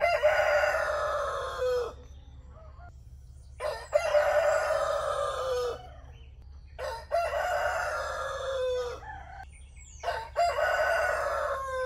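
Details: Roosters crowing at dawn, three long raspy crows about every three seconds, each falling slightly at the end, with brief high squeaky notes between them over a low steady hum.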